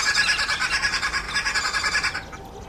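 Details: Red-billed wood hoopoe, also called green wood-hoopoe, which travels in small flocks and is usually heard before seen. Loud chattering squawks in fast regular pulses give a laughing cackle that stops abruptly near the end.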